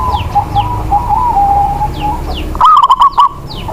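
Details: Local zebra dove used as a lure for lazy singers: quiet steady warbling and faint high chirps from other birds, then one loud burst of rapid rolling coo notes followed by short pauses.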